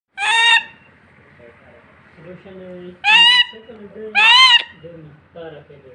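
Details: A male northern goshawk, freshly acquired for breeding, gives three loud, harsh, wavering screams, each about half a second long and a few seconds apart, with people talking quietly between them.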